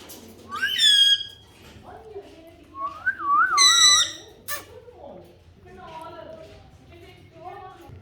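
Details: A talking parrot alternates loud, harmonic, voice-like calls with a wavering warbled whistle, followed by a sharp click and quieter murmuring phrases.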